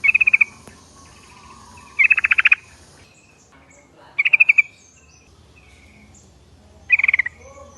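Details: Yellow-vented Bulbul lure call, meant to make a flock answer: short rapid pulsed chattering bursts, each about half a second, repeated four times at uneven intervals, with faint background hiss.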